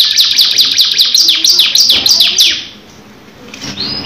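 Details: Canary song with fast repeated high descending notes for about two and a half seconds, then breaking off into quieter scattered chirps.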